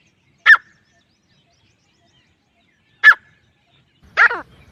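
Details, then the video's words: Grey francolin giving two abrupt, harsh notes about two and a half seconds apart, followed by a longer, lower, grating note with a faint rumble beneath it. "teetar sound effect"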